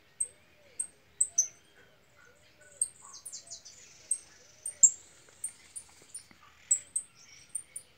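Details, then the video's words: Angry female European goldfinch giving sparse, sharp, high chirps in short bursts, with a few softer lower notes between them and long quiet gaps. "hembra de jilguero enojada"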